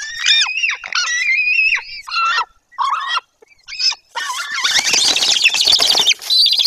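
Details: White-tailed eagle in Bory Tucholskie, Poland, in 2024, near the nest as a female drives off an intruder. Loud, irregular yelping calls are followed by a long burst of rough noise mixed with calls.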